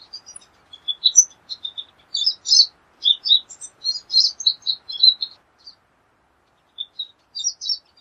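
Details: Pine siskin singing a rapid, jumbled twitter of high chirps and short slurred notes, pausing briefly near the end before a few more notes.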